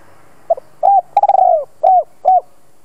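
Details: Decoy spotted dove calling wild birds to the lure: a faint double pip, one rounded coo, a quick pulsing coo that trails downward, then two steady, separate coos at the end.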